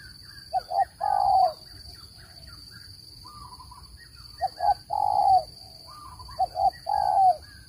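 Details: Spotted dove cooing of the kind played to lure birds into traps. Three phrases, each two brief low notes then a long, slightly falling coo, separated by pauses, over faint twittering and a constant high-pitched tone.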